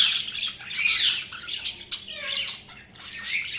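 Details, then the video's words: Pet budgerigars chattering almost without pause: dense, harsh, warbling chirps and squawks overlapping, with a brief thin whistled note partway through. "Budgies Sounds| Budgies Chirping sound"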